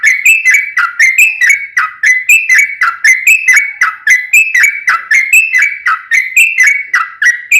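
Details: Steady, unbroken stream of whistled, downward-sliding notes from a yellow-vented bulbul, repeated about three per second, played to make other bulbuls sing back.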